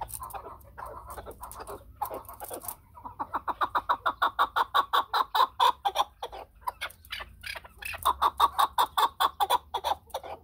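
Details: Chukar partridge calling at length: a few loose clucks, then a long, regular chain of bright chuk notes about four per second, pausing briefly before another strong, rhythmic run.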